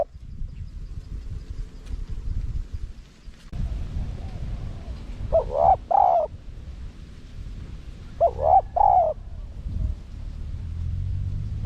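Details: Spotted dove in a small-voiced, wild-style cooing phrase used to lure wild doves. Two short bursts of deep, hollow coos, each a quick stutter then a longer wavering note, about three seconds apart over low rumbling background noise.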